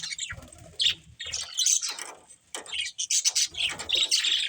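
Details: Pet budgies at play, heard as uneven bursts of high chirps mixed with harsher, noisy squawks and scratchy rasps, broken by a few short pauses.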